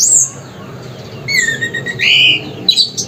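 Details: Orange-headed thrush (anis merah), a kept songbird singing vigorously: a high bright whistle opens, then after a pause come clear sliding whistles, a long level note, and quick varied high slurs near the end, with a faint background hiss.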